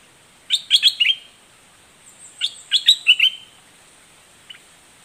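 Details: In the southern 'dok taeng' style, a red-whiskered bulbul gives fierce doubled notes. Two bursts of rapid bright chirps ending in a slurred whistle, separated by about a second of near silence.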